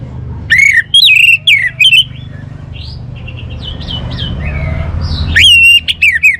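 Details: Orange-headed thrush song of loud, strident whistled notes in quick clusters, a softer rambling warble in the middle, then another strong burst of repeated whistles; low rumble underneath.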